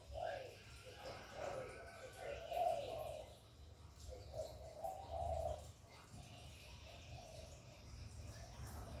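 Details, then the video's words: Spotted dove calling and cooing to stimulate other doves; low soft coo phrases, the notes growing longer and louder in the middle, then fading, with a low humming background. "Cu Gáy Gáy Gọi + Thúc + Gù bài bản kích bổi hiệu quả, Tiếng chim cu gáy, cu đất gáy, cu cườm gáy gù"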